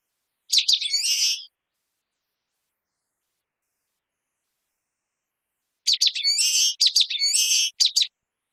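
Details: Common waxbill song, three phrases: one early, then after about four seconds of silence two more close together, each with staccato chip notes followed by a nasal, buzzy, overtone-rich drawl.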